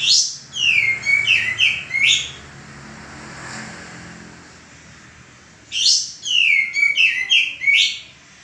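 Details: Caged male common iora singing as a tutor for other birds: two matching phrases several seconds apart, each a rising note followed by quick falling whistles and a closing upsweep.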